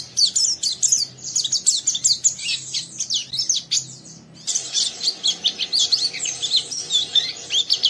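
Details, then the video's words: Lively young oriental white-eye in a cage, singing harsh ngeriwik chatter to get another bird singing; long, rapid, high-pitched stream of sweeping twitters with a brief break midway. "Burung Pleci Muda Gacor merangsang Pleci Bahan ikut Ngeriwik Sampai Buka paruh"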